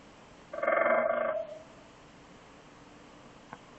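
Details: Woodpecker communicating by drumming on a TV antenna: one rapid, resonant metallic roll lasting about a second, buzzing and ringing with overtones, then quiet, with a single faint tap near the end.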